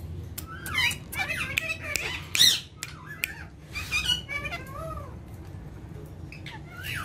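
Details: Ringneck talking parrots give scattered harsh squawks, squeaky chirps and short warbled notes in irregular bursts, with a steady low hum underneath.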